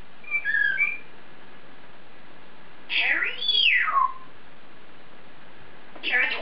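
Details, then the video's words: African grey parrot alone in its cage indoors, chattering to itself: a brief warbled whistle, then a longer sweeping whistle that rises and falls, and a final short harsh note. "African Grey Parrot Taking To Himself In His Cage!"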